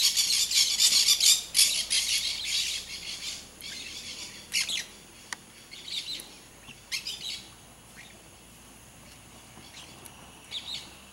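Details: Blaze-winged parakeets (Pyrrhura devillei), free-living, give harsh, scratchy screeches in a dense, rapid chatter for about four seconds, then in scattered short bursts; calls high-pitched and grating.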